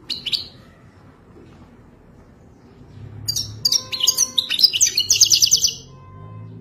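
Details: Wadani-type goldfinch from Morocco, described as wild. A short high note opens, followed by about two and a half seconds of quiet, then a dense, twittering, trilled phrase that stops abruptly, leaving low hum.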